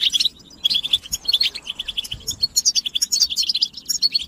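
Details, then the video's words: High, lively twittering of a European goldfinch: an opening chirp, a short gap, then fast tinkling phrases of clear notes and liquid trills running to the end. "بتبتة الحسون"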